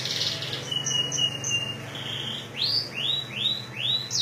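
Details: Canary singing in a ciblek style from Majalengka: high buzzy trills and twittering, then a run of four sharply rising whistled sweeps, each repeated about every half second.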